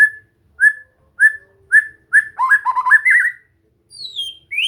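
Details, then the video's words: White-rumped shama (murai batu) training recording: four evenly spaced whistled notes about half a second apart, then a rich warbled chattering burst, then thin high whistles sliding down and up. "Latihan santai untuk murai batu AGAR MAU BUNYI dan GACOR"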